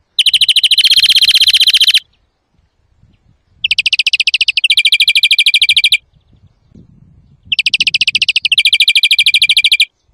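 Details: Greenfinch trapping and training song: three long buzzing rolls, each two seconds or more, with a slight change of tone partway through. Short quiet gaps with faint low noise separate them.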